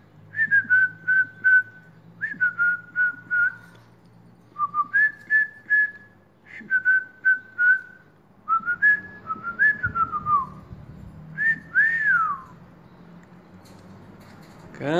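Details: A cockatiel named Kito, urged to sing, whistles the Brazilian folk melody "Atirei o pau no gato" in clear, fluting phrases that rise and fall.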